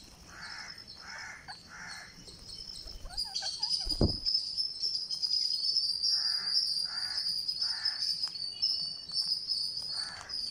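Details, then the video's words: Green parakeet on day 49, being fed, gives a steady high rasping tone that starts partway through, over repeated lower nasal bursts roughly twice a second and a brief thump. "GreenParakeet Feeding - Day49"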